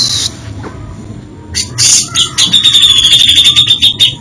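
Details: Grey-cheeked bulbul in varied isian song: a brief harsh note, a pause, then raspy bursts leading into a fast rattling series of thin high chips.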